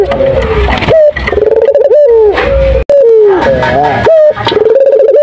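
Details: Close, loud cooing of a turtle dove singing actively: steady, vibrating coos broken by quick rising flicks, with two phrases separated by short pauses.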